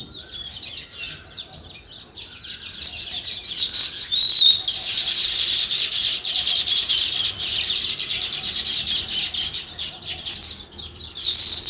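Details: Sparrows chirping outdoors in a natural scene: a continuous chorus of quick, high chirps, rising in intensity through the middle, with a few clearer whistled notes early on.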